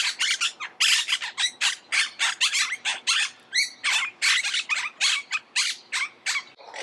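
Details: Monk parakeet squawking steadily, with about twenty-five short, sharp, rasping calls at a fairly even pace of several per second.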